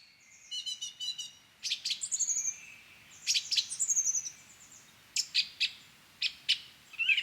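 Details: Song thrush singing bright, varied phrases in short bursts, some repeated, in a garden, with a chaffinch singing at the same time.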